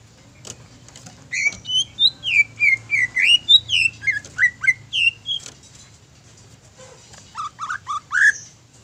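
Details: Greater green leafbird song used as a lure to stir rival leafbirds into singing: after a brief quiet start, a fast run of about sixteen sweeping whistled notes rising and falling, a pause, then a few softer scattered notes.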